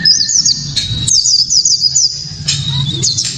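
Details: 'Tembakan' song of a white-eye, a very loud, clear lure for rousing other white-eyes: quick high looping whistles strung into fast trills with brief pauses, plus one long lower whistled note and constant low background hum.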